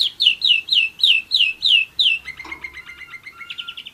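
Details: Singing German Roller-split canary, one year old: seven loud down-slurred notes spaced about a third of a second apart, followed by a soft, rapid low trill with a thin steady whistle running beneath it.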